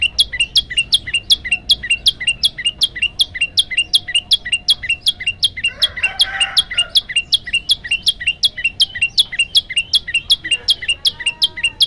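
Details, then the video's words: A male olive-backed tailorbird sings a long run of sharp, high, ringing notes, steadily repeated almost three times a second, with a brief rustling noise midway; recorded as a varied song for training other tailorbirds. "prenjak lumut gacor variasi tembakan panjang"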